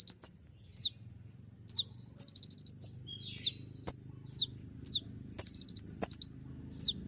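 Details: Brown-throated sunbird (kolibri ninja) in loud, busy song used to make another bird answer: shrill falling notes with short dry rattles between, nearly continuous over a faint low hum.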